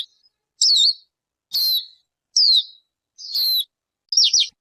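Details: Five separate high chirps from a bird known in Hmong as ncwb, each a sharp downward slur spaced nearly a second apart, ending with a short stuttered cluster.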